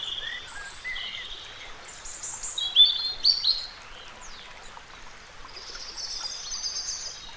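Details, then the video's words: Dipper (Cinclus cinclus) diving for food in a river, giving sharp, high, thin notes and brief whistled phrases, loosest in the middle, over the steady rush of the stream. "The Dipping Dipper"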